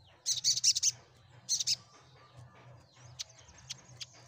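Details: Sunbird chatter meant to make other birds reply: a quick run of four high, rough chirps, a pair more, then faint thin whistles and ticks fading out over a low hum.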